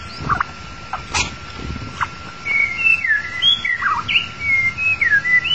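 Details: White-rumped shama song played as a lure to trap the bird: clear whistled phrases with slurred rising and falling notes between about two and four kilohertz, after a few short clicks and knocks at the start.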